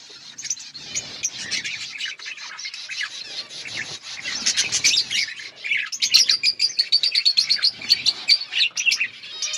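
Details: Budgerigars in an outdoor colony chirping together, a dense chorus of overlapping high chatter and warbles that builds louder in the second half, with rapid pulsed chirps near the end.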